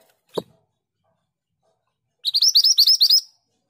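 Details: Scarlet minivet (Pericrocotus flammeus) in an energetic long rolling song used for tutoring other birds: a single sharp click, a pause, then a fast burst of about seven bright, rising whistles lasting about a second.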